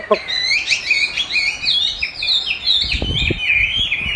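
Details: Chinese hwamei being trained with its own recorded song: rapid, high, slurred whistles in overlapping phrases, with low knocking or handling sounds in the second half.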